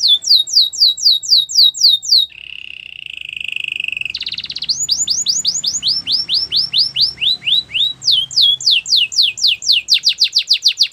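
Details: Belgian canary in full song: a rapid tour of sharp high notes, a soft low rolled trill, then a long run of rising swept whistles and quick descending slurs.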